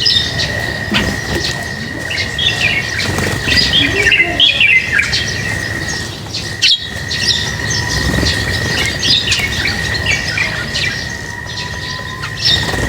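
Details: A group of lovebirds being fed keeps up a continuous chatter of harsh squawks and quick chirps, rising and falling in intensity, with rustling and a steady high whine underneath.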